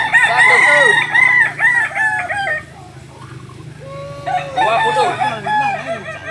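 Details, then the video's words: Kokok Balenggek chicken, native to Solok in West Sumatra, crowing in two bursts of quick stepped syllables separated by a quieter stretch holding a low drawn note, the second burst with overlapping roosters. "Ayam kukuak balenggek"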